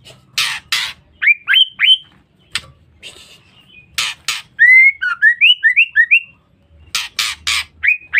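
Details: Female white-rumped shama call meant to provoke males. Rasping bursts lead into two-note upslurred whistles, then a run of five or six rising whistles, and more harsh bursts close the sequence.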